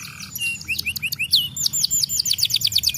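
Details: Domestic canary singing a varied song: rising whistled notes, then a fast series of downward-sweeping chirps repeated several times a second, with a faint low hum beneath.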